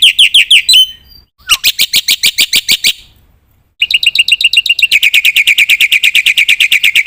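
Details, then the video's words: Black-winged myna singing energetically with filler phrases: quick sweeping chirps, a gap, a run of bright notes, silence, then a long rapid buzzy trill-like series. "suara burung jalak putih gacor full isian pancingan masteran ampuh bikin gacor pagi - siang - malam"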